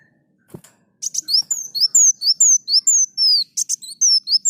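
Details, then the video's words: Olive-backed sunbird, known locally as kolibri muncang, singing persistently in a training recording for songbirds. After a soft click, a fast, thin, very high twitter of sharp downward-slurred notes runs about two per second with buzzy chips between them. "Masteran Burung Kolibri Muncang Gacor"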